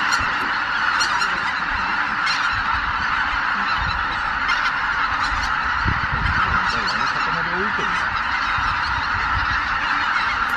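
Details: Greater white-fronted geese, more than 83,000 birds, departing the roost at Miyajima-numa at dawn, 23 April 2017, overcast weather, compact camera: a steady wall of massed honks, with scattered sharper yelps standing out against the chorus.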